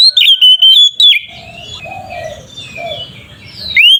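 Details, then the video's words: Oriental magpie-robin giving ngeplong fighting song meant to provoke rivals: an opening run of loud sweeping whistles, then a quieter stretch with soft low hums and faint background notes, ending on one rising whistle. "Suara burung Kacer ngeplong ini paling ampuh untuk terapi Kacer malas bunyi"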